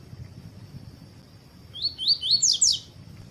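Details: Rusty-collared seedeater (coleiro tui-tui) song used to stimulate other birds to sing: a brief phrase of four or five rapid, high, slurred rising notes after near silence, over a steady high whine.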